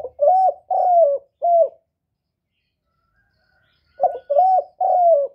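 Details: Spotted dove singing in the 'hạp bổi' voice style, played to stimulate decoy doves when trapping; mid-pitched hollow coos in a short-long-short phrase, a pause, then another phrase of stuttered notes and two long coos, with no background noise.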